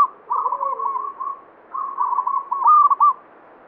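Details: Local zebra dove in full banyumili song, believed to bring good fortune; two rolling trilled coo runs, then a louder bright high phrase of quick stepped notes, with a faint lower coo early on.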